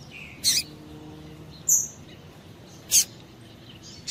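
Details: Female double-collared seedeater calling to stimulate males, three separate high, sharp chirps spaced about one and a quarter seconds apart, with a faint thin whistle and low background hiss.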